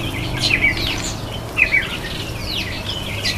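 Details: Red-faced mousebird at the birdbath: two bursts of sharp, high whistled notes about a second apart, followed by fainter sliding chirps.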